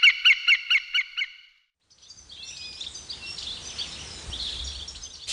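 A goldfinch gives a quick run of six nasal, ringing notes, then after a short pause a dense, high, liquid twittering over a soft hiss.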